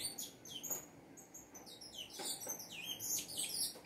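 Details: Saffron finch singing softly, a string of high chirped notes and curving slurs that grow busier toward the end, with low background hum.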